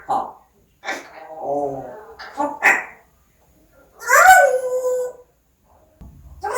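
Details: Talking parrot indoors, producing a string of short speech-like syllables followed by a strong, harmonic, slightly wavering phrase of about a second, with a brief low rumble afterwards.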